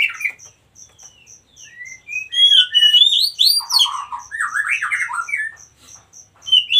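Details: Wild white-rumped shama singing rich varied whistles, slurred rising and falling phrases and rapid trills, with a steady high chirping insect ticking in the background.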